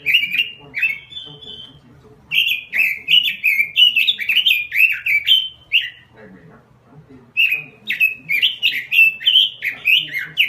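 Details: Robin singing energetically in lively bursts of fast, varied warbled notes. Short high whistles sit between phrases, and a quieter pause in the middle precedes another rich, rippling run.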